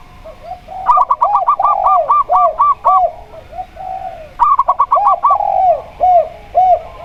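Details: Two bursts of rapid staccato notes from a local zebra dove, each a quick ringing series, mixed with repeated lower, rounded coos from a spotted dove singing alongside.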